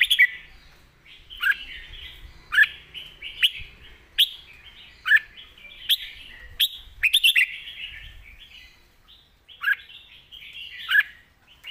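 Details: A caged red-whiskered bulbul delivers its master-pattern song, loud and clear: short bubbly, fluty phrases repeated about every second or two, each with a quick sharp note, over a quiet background.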